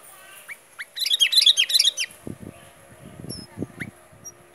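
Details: Sooty-headed bulbul song: a fast, dense run of bright chirping notes for about a second, followed by a few isolated thin whistles over low soft knocking sounds.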